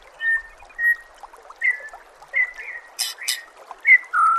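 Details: White-rumped shama, called murai batu, heard in a masteran training track: clear sustained whistles and short slurred notes repeated about every half second, with two brief high buzzy bursts and faint trickling water behind.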